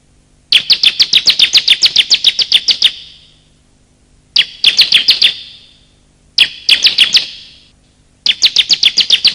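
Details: Bar-winged prinia, male and female, calling as a lure to draw wild birds and stir quiet ones: four separate bursts of fast, piercing chirped notes, the first long and dense, later bursts shorter, each ending in a ringing fade.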